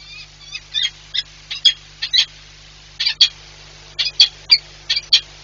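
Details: Peregrine falcon at a nest site in Płock, Poland, on 19 March 2022, giving short harsh calls repeated in quick, uneven bursts, about two to three per second, over a steady low mechanical hum.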